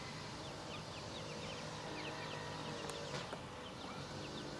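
Several ducklings give quick, high, falling peeps, overlapping several times a second, over a steady rushing background noise.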